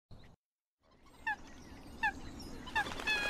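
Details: A Eurasian coot call used to attract a flock gives short, sharp, slightly downward notes, about one every three-quarters of a second, over steady hiss.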